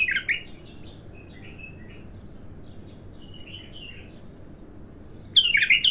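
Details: Bulbul, a raw bird on its first singing, giving a short warbled note, then faint scattered whistles and a loud bright burst at the end, over a steady background hum.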